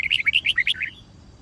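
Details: Red-whiskered bulbul fighting song for training birds: a rapid burst of about eight bright, warbled whistled notes in under a second, wavering up and down, then quiet.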